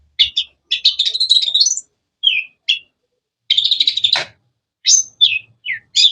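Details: Long-tailed shrike singing with varied, sharp calls: rattling high trills, short whistled slurs and sudden chirps separated by short pauses.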